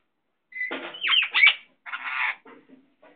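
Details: Pet Indian ringneck parakeet talking indoors: a speech-like string of raspy, voiced syllables with sliding tones, two longer phrases separated by a short pause, then a few faint soft mutterings.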